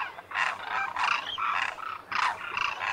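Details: Demoiselle cranes, locally called Koonj, wintering in their thousands at a lake near Khichan village in Rajasthan's Thar Desert, India; loud rasping, croaking calls in overlapping bursts of about half a second, several birds calling together.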